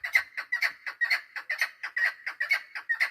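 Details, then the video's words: Hen chukar partridge used for hunting, 3 May 2025, giving steady, gravelly chuk-chuk notes roughly twice a second, each note a short raspy burst. "Овози модакабк // Модакабки шикори // Садои модкабк // Keklik sesi mada shikari"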